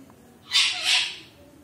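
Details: >Pet Alexandrine parakeet, a desi talking parrot, gives one harsh, hissy screech lasting about half a second with two swells of loudness, over a quiet indoor background.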